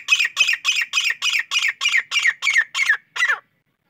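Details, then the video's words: Grey francolin call: a series of about eleven harsh, buzzy notes repeated at a steady pace, roughly three per second, ending with a slightly separated final note, with no other clear sounds. "gery teetar ke Awaz"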